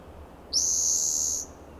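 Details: On a warm June morning in California's Del Monte Forest, a Spotted Towhee in a shady coast live oak gives one strong, harsh buzzing trill close to a second long, flat in pitch, over low background noise.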